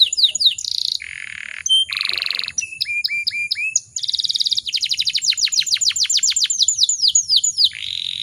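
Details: Female canary in breeding condition, used to get other canaries singing: varied phrases of whistled slurs, harsh buzzy bursts, repeated rising notes, and a long run of rapid descending notes.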